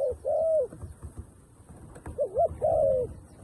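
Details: Dove used as a decoy to call wild doves down. A long steady coo opens, then after a pause comes a wavering double note and another long, low, gently falling hoot. Soft ambient noise is heard throughout.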